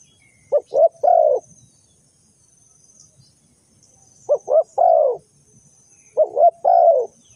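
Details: Spotted dove used as a lure in bird trapping, calling three separate coo phrases. Each is two quick clipped notes and a longer falling coo, separated by quiet gaps of about three seconds.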